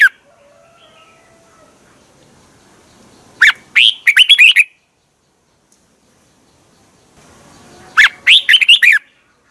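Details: Red-whiskered bulbul in Thailand, a recording meant to excite caged birds: two rapid, bubbly warbled phrases of several quick rising and falling notes, separated by about four seconds of near silence.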